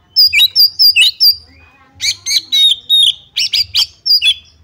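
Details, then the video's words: Oriental magpie-robin (kacer) song used as bait to provoke a rival into fighting: loud, clear whistled notes, high and slightly falling, repeated in quick bursts with short pauses, over a faint low hum. "pancingan kacer tarung cari lawan"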